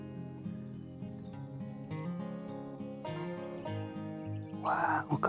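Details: Acoustic guitar plays a busy run of plucked notes and chords, ending in a brighter strummed burst, with no animal calls present.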